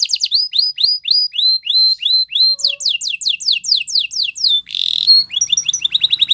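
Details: Spanish Timbrado canary training song: a steady series of rising whistled notes, then quicker, steeper sweeping notes, a short harsh buzz, and rapid high chirps at the end.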